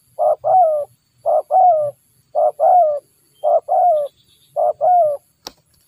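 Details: Wild spotted dove facing a decoy during trapping. It repeats a quick note followed by a longer descending coo, five times at an even pace about once a second. A faint low hum sits underneath, and a sharp click comes near the end.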